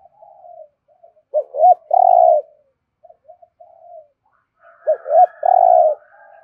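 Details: Spotted dove repeating its thúc gù coo in the deep, rolling thổ rền style: soft murmured notes, two quick hoots and a long buzzy purr, the whole phrase given twice about three and a half seconds apart.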